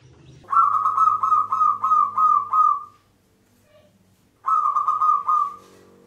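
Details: Lure song of a local zebra dove, Mataram rhythm style, used to draw in wild birds: a long rolling string of bright coos lasting about two and a half seconds, then a shorter run, over a soft low hum.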